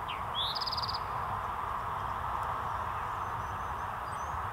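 An Eastern Towhee gives one quick 'drink-your-tea' song: two clear introductory notes, then a fast high trill. A steady rushing background and faint high chips follow.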